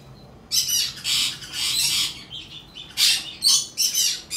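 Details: Albino cockatiel chick, hand-tame, recorded in Fukuoka, Japan on 28 August 2023: harsh, hissing raspy calls in bursts of about half a second, repeated in irregular series with short pauses between.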